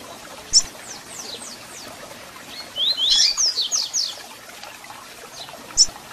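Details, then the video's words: Double-collared seedeater, song with chirps intended to excite and warm up a captive bird: a sharp chip, a soft run of descending notes, then a louder burst of about seven rapid high slurred notes and a final chip. "Canto de Coleiro com Piado para Foguear e Esquentar Seu Coleiro ou Papa-capim"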